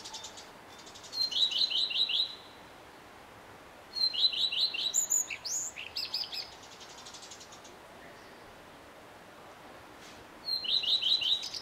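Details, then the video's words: Common redstart male singing from early morning into the evening; three high strophes, each a brief lead note then a rapid series of repeated downward notes and a twittered ending, with a brief scratchy burst mid-clip. "Samczyk pleszki i jego piękny śpiew"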